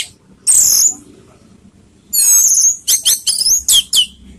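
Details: Orange-headed thrush singing in the 'teler' style as a lure to stir emotion and breeding urge: a piercing high slurred phrase, a pause, then a rapid run of sharp, repeated high notes.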